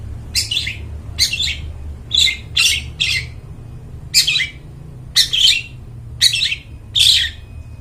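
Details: Long-tailed shrike, its clear voice described as good for luring wild birds in the forest: a series of eight rasping, scratchy squawks at uneven intervals of about one second, with a low background hum.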